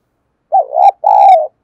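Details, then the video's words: Spotted dove, a caged decoy bird in Vietnam calling to provoke wild doves: a single two-part coo, a short wavering note followed by a longer, steady, mellow coo, clear and close with no other sounds. "Tiếng chim cu gáy thúc đấu vấy bổi - Chim Cu Mồi Gáy Gọi Giọng Hay bổi"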